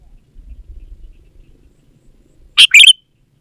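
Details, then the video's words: Sooty-headed bulbul singing energetically as a lure for bulbuls that are slow to sing in the garden: quiet low rumble, then a single sharp, bright phrase of two rapid chirpy notes near the end. "Suara Burung KUTILANG GACOR Untuk Pancingan Ajaran Pikat BURUNG KUTILANG Malas Bunyi di Kebon"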